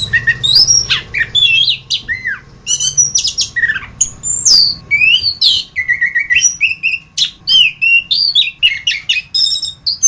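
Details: Orange-headed thrush singing on a masteran tutor recording: a rapid, varied run of whistled, sliding and chattering phrases, many high and sharp, with short pauses between bursts over a faint low hum.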